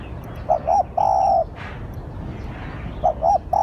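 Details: Spotted dove calling as a lure: two clipped coos and a long mellow coo, a short rustling sound, then the phrase begins again about 2.5 seconds later.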